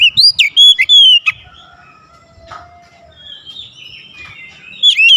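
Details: Oriental magpie-robin opening with a vivid second of swooping whistles and a held note, a long gap of soft background chirps, then another fast whistled flourish at the end.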